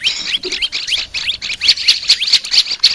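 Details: Olive-backed tailorbird song for training: rapid rising chirps give way to regularly spaced, piercing high notes, each sharp and short.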